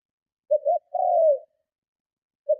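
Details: Spotted dove giving its strong enticing coo to provoke rival doves, two short low notes then a long gently falling coo, with the next phrase starting at the end.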